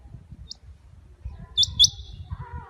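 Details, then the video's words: Rain quail call used as a hunting lure: a sharp, high, metallic double note, two quick clipped whistles, after one faint earlier note, over a low background rumble. "Rain Quail Voice For Hunting"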